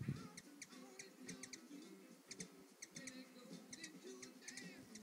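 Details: On a patio, a hummingbird drinks and sings: quick high ticks in short clusters spaced about half a second apart, plus a few thin squeaky notes, over a low droning hum.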